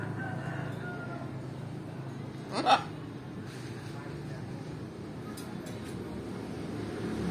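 A macaw gives a single short, harsh, raspy squawk midway through, against a steady low background hum.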